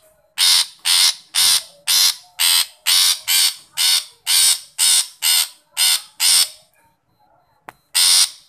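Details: Long-tailed shrike calling to coax a shy shrike: a fast run of about thirteen harsh, scratchy rasps, two per second, then a pause, a brief click and one final rasp.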